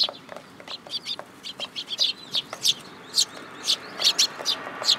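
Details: A flock of sparrows arriving to be fed at a Tenmangu shrine in July 2022, chirping densely, with quick high notes tumbling over one another almost without pause.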